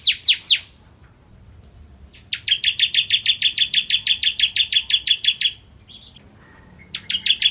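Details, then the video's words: Bar-winged prinia (ciblek kristal) singing vigorously as a tutor for white-rumped shamas: three opening downslurred chirps, then a long rapid trill-like run of some twenty clipped notes, a short pause, and a final few chirps. "Masteran Ciblek Kristal Gacor"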